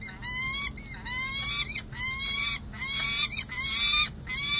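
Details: Peregrine falcon pair at a San Jose City Hall nest ledge in July 2024, pair-bonding after the breeding season: drawn-out, harmonic wailing calls that rise then level off, overlapping and repeated about every second, with faint background hum.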